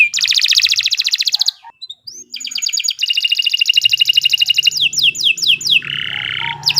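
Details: Canary singing a long, energetic song for training other birds: dense rapid trills, buzzy rattles and fast repeated downward-sweeping whistled notes, with a short pause near the start.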